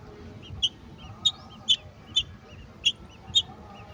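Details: Golden oriole feeding its young a mantis: six sharp, high chip notes, spaced about half a second apart, with soft fainter chirps between.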